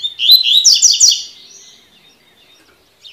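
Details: Double-collared seedeater singing the tui tui style of song, used for training young birds: a fast one-second burst of bright, rising whistled notes repeated rapidly, followed by quiet with faint chirps.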